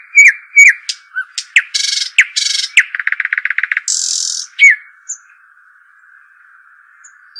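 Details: Arabian babbler song mixing loud down-slurred whistles, harsh buzzy bursts and a fast rattling trill, then fading to a few faint high notes. A steady hum runs underneath.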